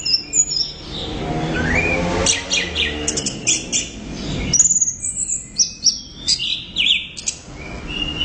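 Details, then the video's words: An orange-headed thrush sings energetically: a rising whistle, then dense high twittering that builds into a rapid string of sharp chirps and squeaks, over soft low rumble early on. "ANIS Merah Gacor Volume Keras Teler Mantap"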